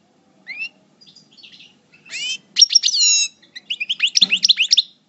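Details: Moulting Parva European goldfinch coupleur from El Bordj: sparse soft notes, then a buzzy phrase, ringing slurred whistles and a short run of rapid chirps, with a faint low knock.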